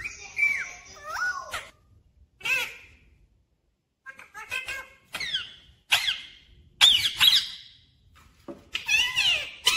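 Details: Talking pet parrot in a clear voice, said to say 'mummy papa', producing scattered high, bending, word-like calls and squeaky syllables separated by short silences in a small room.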